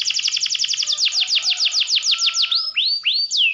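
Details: Canary song for provoking rival birds: a fast string of high descending slurs slowing into loud separate swoops, then a few rising, curling whistles; faint low rumble at the start.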